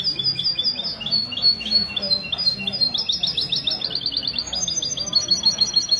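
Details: Singing mestizo goldfinch hybrid at a Sunday morning goldfinch association gathering in a Ksar El Kebir café, Morocco, 16 February 2020. Loud, fast chattering trills shift pitch between phrases, with a faint background murmur.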